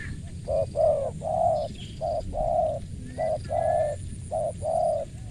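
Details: Spotted dove with a crisp voice giving low, hollow coos in a repeated pattern of short and longer notes, with faint background noise.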